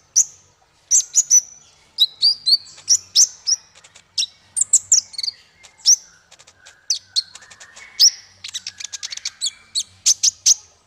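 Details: Male konin sunbird delivering a long, lively song for training caged songbirds: fast high chirps, buzzy trills and sweeping notes, speeding into a dense rattle of ticks toward the end.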